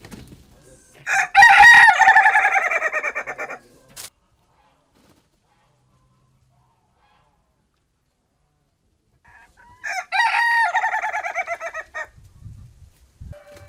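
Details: Rooster giving a funny, unusual crow: two long harmonic-rich bursts, first around one to four seconds, second near ten seconds, separated by silence, with brief low noises at the end.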